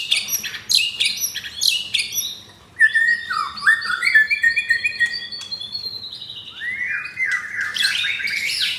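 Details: Captive F4-bred white-rumped shama with a mottled (blorok) chest, kept in Jakarta, Indonesia, singing rough-material (materi kasar) song: loud clear whistles sliding down and up, broken by sharp harsh chip bursts and rapid fluting phrases.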